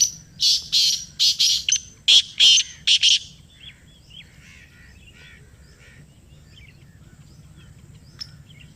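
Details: Black francolin (kala teetar) calling in answer to a played call: a loud rapid phrase of about seven harsh, grating, buzzy notes within three seconds, then quiet background with faint distant chirps.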